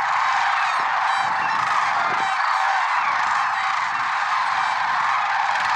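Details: Early morning chorus of lesser sandhill cranes, Merced National Wildlife Refuge, February 6, 2023: many birds trumpeting at once, rolling rattled calls surfacing repeatedly over a dense continuous background of voices.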